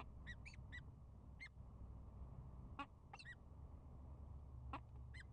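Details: A pair of peregrine falcons at the start of the breeding season, bowing and chupping, gives about nine short, clipped, slightly nasal chup notes at an uneven pace, over a steady low rumble of wind or distant traffic.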